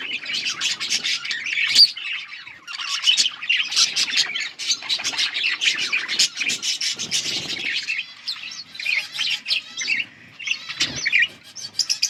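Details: Several yellow budgies, recorded on 21 August 2024, keep up a dense, continuous warble of scratchy chirps, clicks and thin whistles that varies in loudness throughout.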